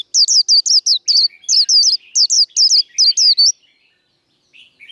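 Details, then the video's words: Caged white-eye giving its 'líu đấu' fighting song, used to fire up cage birds: a fast run of about sixteen high, bright whistled notes, each sliding downward, packed into three and a half seconds, then near silence. "Vành khuyên líu đấu. Kích lửa vành khuyên líu đấu"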